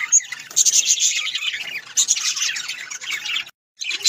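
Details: Warbling, scratchy chatter from pet budgerigars, steady and high-pitched, with a few squawky notes, ending in a brief silence before the chatter resumes.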